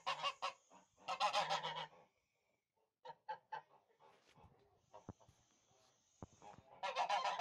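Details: Tula fighting geese, a Russian domestic breed bred centuries ago for fighting, giving loud harsh honks in bursts separated by quieter gaps with scattered clicks and thin background noise.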